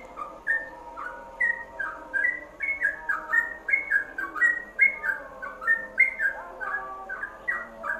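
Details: Yellow-vented bulbul song, ropelan type, intended for training caged songbirds: continuous chain of liquid, slurred whistles about two per second, with a soft layered hum underneath.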